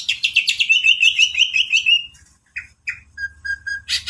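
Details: Greater green leafbird, a champion songbird, in full isian song: a quick descending trill of repeated notes, a pause, then short clipped whistles and three level piping notes.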